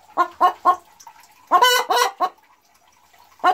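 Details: Boris Brown hen, after laying her first-ever egg (4 December 2016), gives three quick clucks, then three loud drawn-out squawking cackles and one more after a pause: an egg song, boasting that she has just laid.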